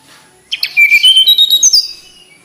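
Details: Flycatcher, known locally as tledekan gunung, singing a quick run of about ten clear, thin whistled notes that climb in steps to a high finish after a few harsh chirps at the start; the background is otherwise quiet.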